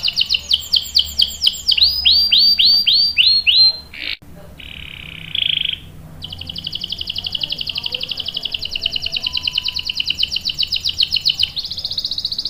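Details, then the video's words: Singing canary delivering a long rolling song for tutoring young birds: repeated downswept chirps, a brief rasping buzz, then an extended rapid roll of quick notes at a steady pace. "KENARI GACOR NGEROL panjang bagus untuk PANCINGAN dan MASTERAN paud | CANARY SINGING"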